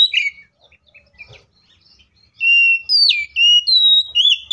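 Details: Loud, insistent Oriental magpie-robin fighting song used to spur other magpie-robins to sing. A brief note is followed by a quiet gap, then a run of sustained clear whistles with abrupt downward and upward slides.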